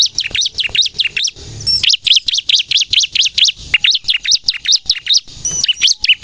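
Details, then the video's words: A bar-winged prinia sings in the rapid 'nembak' style, a recording meant to lure birds and prompt untrained caged prinias into song. Shrill, clipped chirps repeat about two and a half times per second, with short breaks. "suara burung ciblek gacor nembak untuk pikat dan pancingan ciblek bahan agar bunyi"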